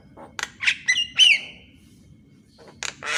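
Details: Javan myna recorded in the morning as a tutor recording for training mynas that rarely sing: harsh squawking bursts, then clear whistled notes with bright overtones, a quiet pause, and two more rasping bursts over a low rumbling background.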